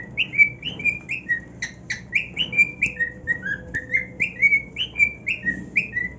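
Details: Cockatiel singing happily on his new nest, a run of clear whistled notes around two to three kilohertz, many sliding up then down, repeated about twice a second, with a few sharp clicks between phrases.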